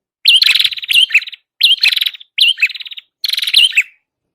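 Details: Red-headed prinia heard in a lure recording: four evenly spaced phrases about a second apart, each a bright chirp running into a buzzy, pulsed trill.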